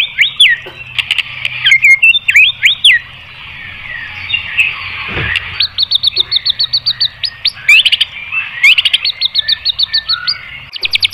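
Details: White-rumped shama singing to provoke other birds: looping whistled phrases and sharp clicks, a muddled patch, then quick series of high repeated notes and scattered chirps.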